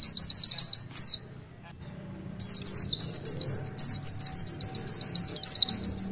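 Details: Long 'tulitwitwit' song of the Oriental white-eye (pleci): fast high trilled notes, a short silence, then a lively mix of sweeping whistles and a rapid repeated twitter.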